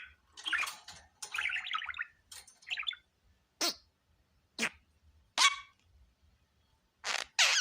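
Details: Pet budgerigar in a happy mood, giving a series of separate short calls: scratchy warbled chirps early on, then sharp sweeping squeaks spaced about a second apart, with quiet gaps between.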